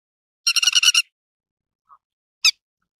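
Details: Rapid run of six or seven harsh, metallic notes from a grey-headed lapwing lasting about half a second, then a faint low blip and a single sharp, descending note, in a quiet setting.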